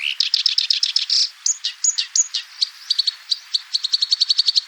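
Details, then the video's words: Black-browed reed warbler song: rapid, dense run of sharp high chirps, then slurred whistles and a stuttering series of short clipped notes repeated quickly, clean with no other sounds. "kicauan terbaik kerak basi alis hitam"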